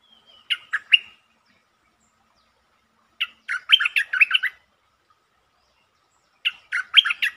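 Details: Streak-eared bulbul singing, recorded 13 February 2023 and described as opening with many song types, including long and doubled songs: three bursts of bubbly, warbled notes about three seconds apart, the last two richer and longer.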